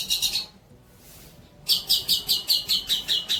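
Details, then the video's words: Tutor song of a long-tailed shrike, used to train young shrikes: a brief high trill, a quiet gap, then about nine sharp, high chipping notes repeated in a steady rhythm. "INI BARU MATERI MEWAH BOLO BUAT MASTERAN TROTOL KAMU"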